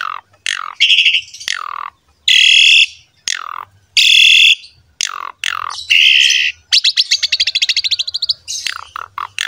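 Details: Lively Asian pied starling song meant to stimulate young birds: harsh, broad rasping blocks and falling squawks mixed with a long fast trill near the end, loud and dense.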